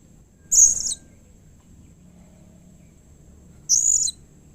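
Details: Blue-crowned hanging parrot giving a call said to prompt other hanging parrots to answer: two short, very high, thin squeaky bursts about three seconds apart, with silence between.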